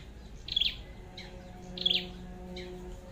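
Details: Red-headed flowerpecker at a trapping site with a decoy bird, giving two crisp high notes well over a second apart, each followed by a softer echoing note, against steady low background noise.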